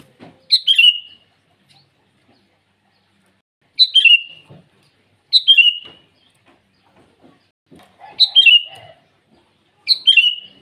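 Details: Repeated morning calls of a sooty-headed bulbul challenging rivals: five short, punchy phrases of two or three slurred descending whistles, roughly every two seconds, over faint scattered clicks.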